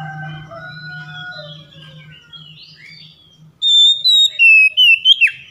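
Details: Oriental magpie-robin song meant to coax mute birds to sing: soft, low warbled notes at first, then about two seconds of loud, clear whistled notes with a final sharp rising and falling flourish.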